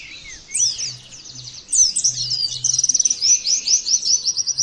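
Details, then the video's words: Pleci (Oriental white-eye) in a training recording meant to make birds sing in the 'nembak' style: a few rising whistles, then a loud, fast, high twittering with a rattling trill and evenly repeated sharp chirps. A low hum sits beneath. "terapi pleci bikin nembak mudah di tiru langsung ngotot bunyi"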